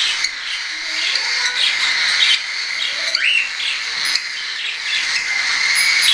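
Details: Several young hand-tame cockatiels, a mix of weaned and still hand-fed birds, in September 2012; a dense, continuous flock chatter with one clear rising squawk near the middle.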